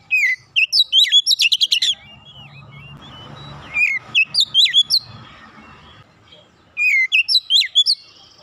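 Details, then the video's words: Oriental magpie-robin song in dense 'nembak rapat' style, used to bring an untrained bird into song: a rapid stuttering burst, softer spaced whistles over a low hum, then another fast volley of high notes. "terapi Kacer bahan cepat gacor nembak rapat"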